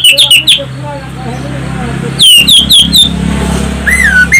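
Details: Orange-headed thrush song, played as a lure to get other birds singing: quick bursts of short, sharp whistled notes at the start and middle, then a lower falling whistle, over a steady hum of traffic.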